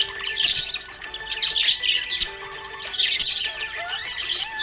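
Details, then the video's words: Cheerful budgie chirping in rapid, irregular bursts of harsh twitters and squeaks, separated by brief pauses, while melodic music plays in the background. "Happy budgie chirping sound"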